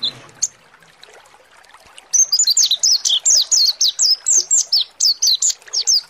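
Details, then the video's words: Mountain white-eye, ngalas song used to make birds sing: a lone chirp, nearly two seconds of quiet, then a dense, steady stream of high, shrill twittering notes to the end. "PANCINGAN PLECI MONTY NGALAS BUKA PARUH"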